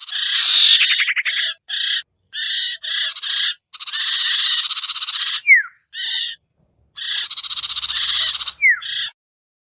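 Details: Pikat lure sound of the sirtu (common iora), meant to bring down wary birds: long grating, buzzy rasps in uneven runs, a stuttering rattle near the start and two quick downward-slurred whistles.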